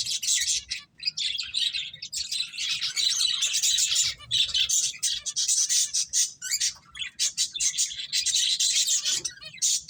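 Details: Finches playing fill the air with continuous high chirping, many overlapping twitters and buzzes with barely a pause throughout.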